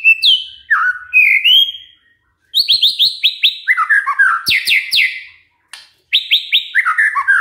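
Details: White-rumped shama song used as a lure to make other birds sing: varied loud whistled phrases, sliding notes and sharp rapid chirps, bursts separated by short pauses.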